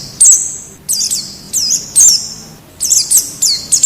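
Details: Wild white-eye sounds played to encourage caged birds to open their beaks and sing: drawn-out high thin notes ending in downward slurs, given in uneven bursts about every half second to second.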